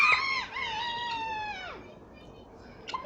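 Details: Turkey hen in a pen at Margam Park, joining in while the turkeys walk around: one long harmonic call that holds steady, then drops away after about 1.7 seconds, followed by a brief short note near the end.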